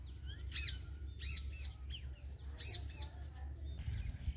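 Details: House sparrow outdoors: a series of sharp, harmonically rich chirps, single and in quick pairs, about six in four seconds, over a steady low rumble of background noise.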